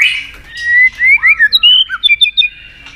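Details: White-rumped shama singing to provoke rivals in competitive song: a string of clear whistled notes, rising and falling slurs, then short bright notes repeated quickly toward the end.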